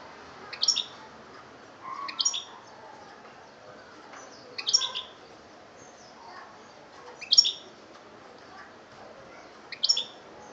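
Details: European goldfinch, Algeria, 2013, repeating short, bright twittering phrases roughly every two to three seconds, five bursts in all.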